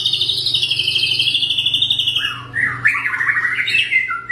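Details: White-rumped shama singing sharp, tightly packed phrases used to provoke rival shamas: a long rapid high trill for over two seconds, then varied loud whistled notes rising and falling, with a low steady hum beneath.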